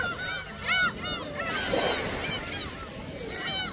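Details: Feeding gulls at Seonjaedo, offered shrimp crackers, give scattered arched squealing cries, a cluster near the start, then sparser calls over a soft rushing background noise.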